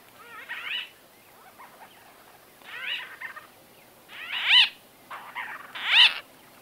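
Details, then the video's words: Conversational calling by white-fronted bee-eaters, recorded close: several short bursts of curved, nasal notes, with the last two calls loudest and ringing, separated by pauses of about a second. "White-Fronted Bee-Eater. NB: Exact Date Of Recording Not Known. MCU-CU Conversa"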